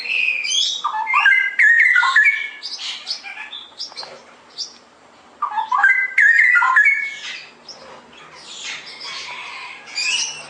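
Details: Straw-headed bulbul in full ngeropel song: two bursts of bubbling, liquid warbled notes, each about a second long, separated by quieter stretches of high, scratchy twittering.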